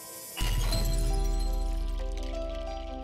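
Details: A sudden struck chord of music with ringing, glassy tones and a deep sustained bass that slowly fades, with no animal calls.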